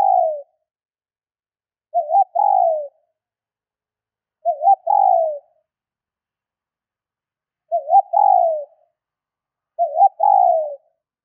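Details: Female spotted dove call to stimulate males, five phrases spaced two to three seconds apart, each a trembling double note followed by a longer coo that drops in pitch; nothing else audible.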